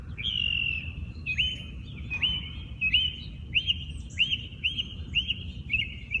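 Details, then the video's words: Birds singing in the early morning in their natural habitat: a clear whistled note, sharply rising then held level, repeated about nine times at roughly half-second to one-second intervals over a low steady rumble. "Listen to the birds sing"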